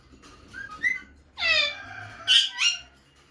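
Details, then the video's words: Female rose-ringed parakeet call, said to excite the male and set him searching everywhere for her: a few soft chirps, then a drawn-out harsh harmonic squawk, followed by two sharp, loud screeches close together. "هذا الصوت يجعل ذكر ببغاء الدرة مجنون ويبحث عن الصوت"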